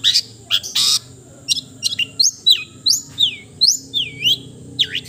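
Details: Melodious long-tailed shrike (cendet) song of varied short notes: scratchy bursts, quick downslurred whistles and looping U-shaped glides, delivered in rapid succession over a low background hum.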